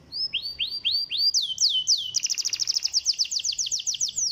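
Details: A canary sings a lure song to encourage lazy canaries: a short series of upswept whistled notes, then faster descending slurred notes speeding into a rapid, bright trill.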